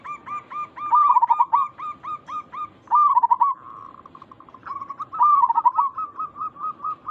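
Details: Local zebra dove used as a lure call to make other zebra doves answer; staccato hooked coos near one pitch repeat rapidly, broken by three louder rolling, wavering bursts about two seconds apart.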